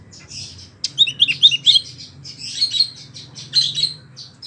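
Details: Wambie mini singing lively song used for tutoring contest birds, giving a jumbled, buzzy chatter of high notes in uneven bursts over a faint low hum.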